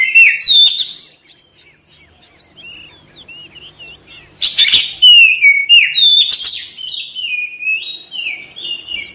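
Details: Caged white-rumped shama singing rich whistled and chattering phrases, loud at the start, a quiet pause of faint twitters, then a harsh burst followed by repeated stepped whistles that slowly fade.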